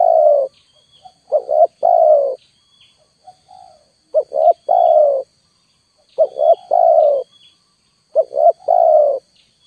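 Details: Lure call of a spotted dove: a pair of quick coos then one long sustained coo, repeated in four phrases about every two seconds, soft single coos between them, with a thin constant high hum in the background.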